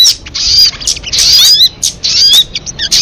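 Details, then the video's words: Short burst from a crested jay: dense, scratchy chattering with thin high squeals and quick slurred notes, delivered in uneven clusters. "Suara MP3 burung sogon kamade"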